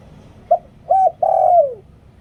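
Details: Spotted dove decoy coo in the lio tan style, used for luring wild doves: a short low note, an arched hooting note, then a long note that slides downward, given once over quiet background hiss.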